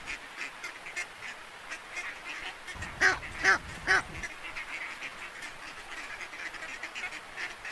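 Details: Farm duck quacking: three loud, nasal quacks about half a second apart mid-recording, set against steady background hiss with fainter rhythmic calls running throughout.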